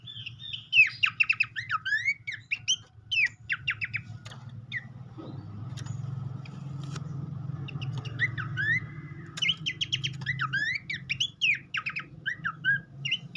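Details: Horsfield's babbler song for prompting an untrained caged bird to sing. Bursts of fast, sharp whistled trills and slurs open and close the passage, and a passing vehicle's rumble fills the quieter middle.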